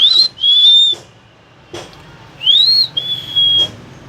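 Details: Common hill myna, a talking bird, giving loud clear whistles: a short rising note then a long level tone, repeated after a pause, over a quiet background hum.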